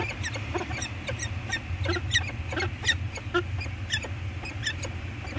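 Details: On Anacapa Island, 8 September 2022, a peregrine falcon pair interacts at the eyrie scrape. The male arrives first and the female joins him. They trade short, sharp chipping calls at an uneven pace over a steady low roar of wind and surf.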